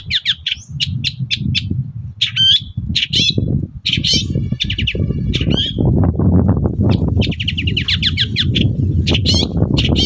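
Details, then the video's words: Long-tailed shrike in full morning song, played to make other shrikes reply; a busy run of varied chattering, trilled and twittering phrases, over constant low-pitched background noise. "BURUNG CENDET GACOR PAGI HARI BIKIN CENDET MANAPUN LANGSUNG NYAUT"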